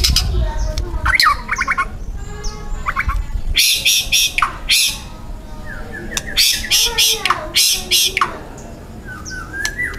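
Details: Forest-caught young white-rumped shama singing a loud, tightly packed song of rough 'tembakan' material. Whistled notes open, then clustered harsh, explosive bursts alternate with varied short whistles and slurred phrases.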